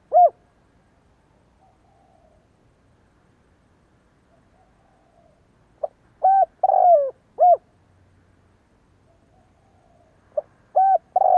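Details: Spotted dove kept as a decoy bird, cooing persistently for training other birds: a short introductory note followed by groups of clear, hollow coos with a rising-falling inflection, separated by long silent gaps, indoors.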